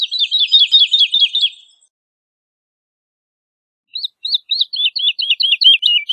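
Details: Song of a Woodlark, Lullula arborea: a rapid trill of repeated downslurred whistles, silence for about two seconds, then a new phrase starting with spaced notes that quicken into a descending rippling run.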